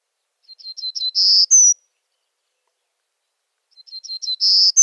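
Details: A Golden-cheeked Warbler, which breeds only in the juniper hills of central Texas, sings two high, buzzy phrases about three seconds apart. Each starts with soft quick notes, swells into a buzz, and ends on a thin rising note.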